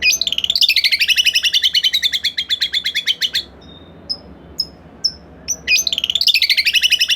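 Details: White-rumped shama (murai batu) in full rapid song, used to prompt another shama to sing: dense pulsed trills, a pause with single sharp high notes, then trilling again over steady background hiss.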